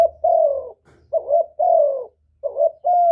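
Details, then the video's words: Provoking call of a spotted dove, used to make doves coo in reply. Coos come quickly one after another, with short throaty notes alternating with longer, slightly descending notes. The background is quiet. "Chim Cu Gáy Kích Nổi Cực Phê, Nghe là gáy theo liền"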